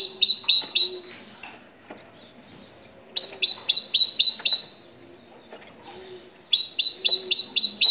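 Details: Moroccan great tit singing: bursts of five to six bright, ringing two-note whistles repeated quickly, with pauses of about two seconds between bursts and a soft low hum underneath.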